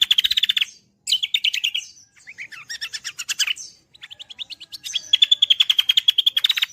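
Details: Cucak kombo delivering a continuous gacoran song for songbird tutoring: dense rapid trills and chattering phrases varying in pitch, ending in a long, fast, regular series of bright chirps.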